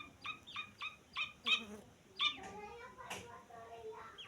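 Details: Grey francolin chick giving a run of six short, sharp peeping notes in the first two and a half seconds, each clipped and bright, followed by softer scattered chirps and faint murmuring.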